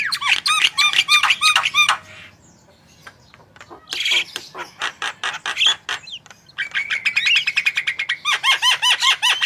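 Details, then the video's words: Javan myna song meant to prompt other birds to sing: loud bursts of rapid repeated whistled notes with harsh chattering, a quieter stretch of clicks in the middle, then another fast run of repeated notes. "Jalak kebo gacor full masteran//cocok untuk pancingan burung anda !!"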